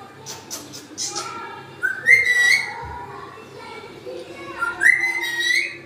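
Grey parrot giving two clear, rising whistles a few seconds apart, preceded by scratchy clicks and squeaks. A soft background hum runs throughout.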